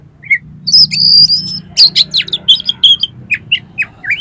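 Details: Oriental magpie-robin (kacer) lure song to get a kacer singing and opening its tail: a long high thin whistle, then a brisk string of short sharp whistled notes about every quarter second.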